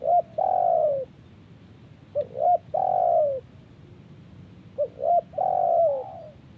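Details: Spotted dove answering wild birds with three phrases about two and a half seconds apart; each has short rising hoots leading into a prolonged, slightly descending coo, set against a soft murmur.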